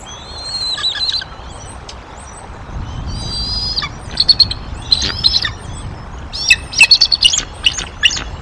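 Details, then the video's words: Bald eagle at the Decorah nest in April 2023: a thin whistle opens, then rapid stuttering high chirps, a chattering chortle series that speeds up and grows louder toward the end. "HM: Vocals For Every Occasion / The Young Intruder"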